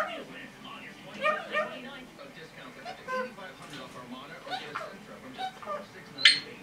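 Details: Captive female red-bellied parrot, 10.5 months old, kept as a pet, chattering indoors: a run of quick, speech-like babbling syllables with short rising and falling notes and a sharp squeak near the end.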